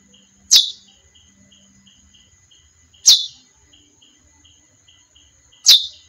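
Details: Three evenly spaced sharp chip notes from a female chestnut-bellied seed finch, each a quick downward flick, with faint rhythmic ticking and a steady high tone behind.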